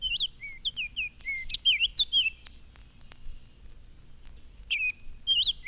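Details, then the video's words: Several Baltimore Orioles under elms in spring, their mates building hanging nests over the roadway, give loud, clear, flute-like whistles in short, varied phrases slurring up and down, with brief pauses between bursts. "The one overhead seems to say, Here, dear, come right here and see what I wear."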